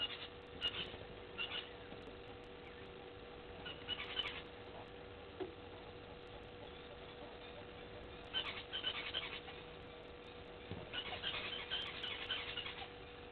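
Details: Helmeted guineafowl (Numida meleagris) give harsh, grating bursts of cackling calls in scattered clusters over a steady hum, at a waterhole on Djuma Game Reserve, Sabi Sand, South Africa, at 17:28 on 29 June 2021.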